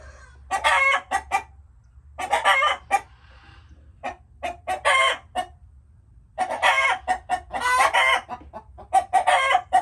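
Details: Several chickens give bursts of rapid clucks and rasping squawks, grouped in clusters of about a second, separated by brief pauses, ending in a dense run of loud cackling notes.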